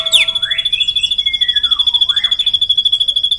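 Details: Long rolling drongo song from Indonesia: a sustained pulsing high tone with throbbing rhythm, overlaid by sliding whistles that fall and rise through the middle pitch range.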